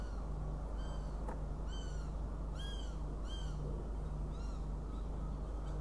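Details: Northern goshawk in Riga on 29 June 2016, giving faint, slurred, arching wails that rise then fall, about five in a row at uneven intervals, over a steady low electrical hum.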